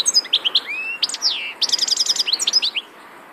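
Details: European goldfinch delivering loud, clear chirps, a smooth rising slurred whistle, then a quick tinkling run of repeated high notes that ends in silence.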